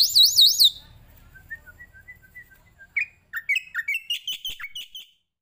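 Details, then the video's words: Starling song used as training material: a high wavering warble opens, then soft whistled notes follow, then a quickening series of rising chirps before it stops. "suara masteran burung jalak putih,jalak kebo,jalak nias,jalak suren"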